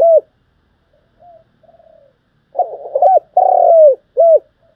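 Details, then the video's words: Lure cooing of a spotted dove, trapping use: one short coo, faint soft murmurs, then stuttering rough notes, an arched coo, a long buzzy falling coo, and a final short arched coo. "Tiếng chim cu gáy thúc gù và gáy gọi hay nhất"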